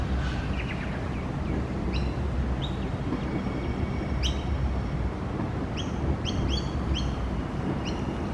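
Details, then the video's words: Young magpie wandering about and hunting worms while another gathers nesting grass; thin squeaky rising chirps given singly and in short runs, several in the last seconds, against a constant low vehicle rumble. "A young magpie making cute sounds"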